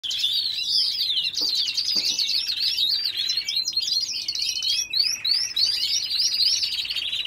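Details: Canaries in an aviary, singing continuously: dense, high twittering with rapid chirps, upsweeps and rolling trills layered throughout, apparently several birds at once, with no pauses.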